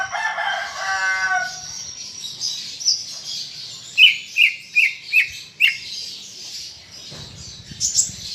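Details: Greater green leafbird in full song, a captive bird used to prompt others to sing: a low harmonic buzzy phrase, then five evenly spaced sharp whistled notes, ending in high chatter.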